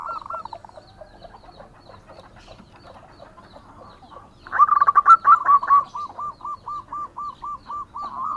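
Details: A local zebra dove in full song, used as a lure: quiet faint notes at first, then a loud rough burst gives way to an even string of hooked coos, roughly two or three per second.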